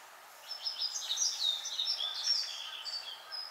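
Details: Late-season song of a yellow-throated bunting, heard as sorrowful; a rapid, high, tinkling phrase of mixed chirps and short whistles running about three seconds over soft outdoor hiss.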